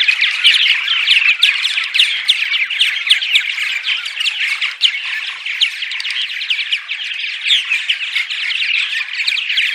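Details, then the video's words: A flock of purple martins gives nonstop daytime chatter, a dense, overlapping mix of gurgling, creaky and chirping mid-to-high notes, played loudly during migration to lure martins and sub-adults to nest housing; purple martin. "Attract Purple Martins (10 hours of Daytime Chatter)!"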